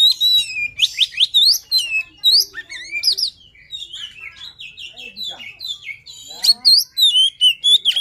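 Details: Continuous luring song of a poci Oriental magpie-robin, packed with loud clear whistles, sweeping slurs and chattering phrases, briefly softer midway before strong whistling resumes.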